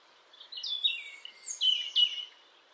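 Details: European robin singing: a high, thin warbled phrase of sliding whistles and short twittering notes, rising and falling between about three bursts over under two seconds, against a quiet background.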